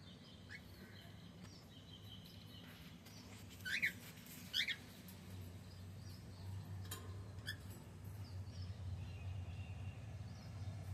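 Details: Male cockatiel making two loud, bright rising chirps close together, with fainter scattered chirps before and after, against constant low-frequency room hum that grows slightly toward the end.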